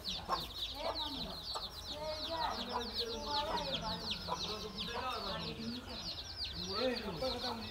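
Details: Chicks and their mother hen, 13 January 2017: constant high, down-slurred peeping from many chicks, with the hen's low clucks and short rising-falling murmurs mixed in.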